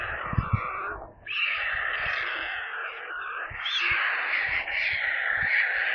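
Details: Begging white stork chicks in a nest near Kaluga, central Russia, on a live camera: a brief raspy cry, a short pause, then a long steady hoarse screeching chorus with occasional low knocks.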